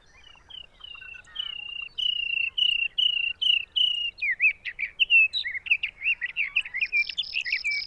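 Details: Sage thrasher in June at Arapaho NWR, Colorado, singing a continuous warbled song: clear whistled phrases, some repeated twice, that build into faster, jumbled, buzzy notes toward the end.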